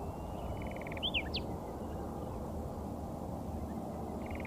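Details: Soft song from a foraging pair of Layard's warblers in Karoo farm bushes near Hanover, Northern Cape: a short buzzy trill and two or three sharp whistled slurs, then a long quiet stretch of low background hum and another brief trill.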